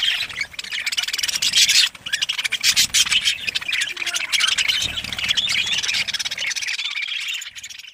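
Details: Colony of breeding budgerigars in Pakistan: thick, high chattering and squawky chirps from many birds, with low background noise, fading toward the end.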